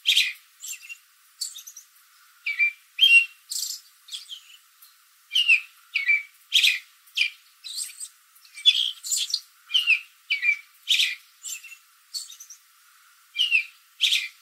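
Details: Late-afternoon backyard American robin in a tree, exchanging calls with other robins in the area: a rapid, irregular series of short, sharp chirps and squeaky notes, nearly two per second, varying in loudness.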